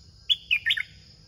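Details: A caged red-whiskered bulbul, singing steadily, gives a brief burst of bright, bubbly whistled notes.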